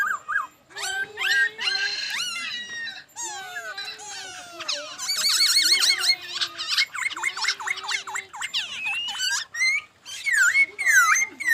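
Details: Varied laughingthrush song of rich whistled phrases, quick slurred notes and chattering runs, delivered in bursts with brief gaps.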